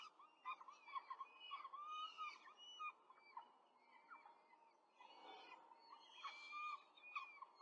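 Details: Four peregrine falcon chicks being fed quickly at a nest in Rome on 5 May 2023: rapid stuttering run of short calls, then crowded high squeals and rustling near the end.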